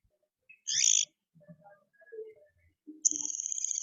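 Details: A martin pair communicating while building their nest: a harsh, scratchy burst, then a fast buzzy rattle held high for nearly a second, with a few faint softer notes between.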